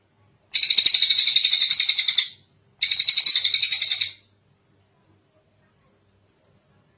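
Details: Long calling of a tengek cililin kingfisher, recorded as tutor material for other cage birds. Two harsh, rapidly pulsed rattling trills, the first nearly two seconds long, are followed by a few short, thin, high notes.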